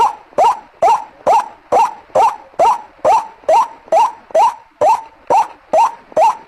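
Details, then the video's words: White-breasted waterhen lure call, known locally as ruak-ruak, used to attract birds: loud nasal notes that hook upward, repeated steadily about twice a second in an unbroken series, with no other sounds. "Suara Pikatan ruak ruak"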